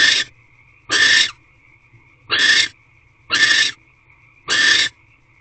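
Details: At an owl box on 21 March 2023 at 12:40 pm, a male barn owl visits the female, possibly to mate: five harsh, hissing screeches, each about a third of a second long, come about a second apart, with a thin steady tone between.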